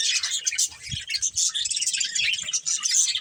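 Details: Steady twittering of budgerigars in a breeding pair: dense high, scratchy warbles and chirps running throughout, with faint low knocks underneath.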